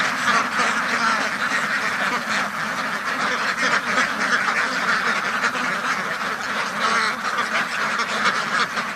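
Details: Large flock of farm ducks in their duck house, an unbroken wall of harsh quacking from many birds at once, steady in loudness for the whole stretch.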